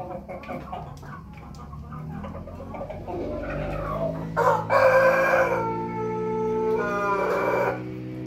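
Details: A Pelung chicken gives a long, drawn-out crow broken into two strained segments, over a steady low background hum, with faint clucking beforehand.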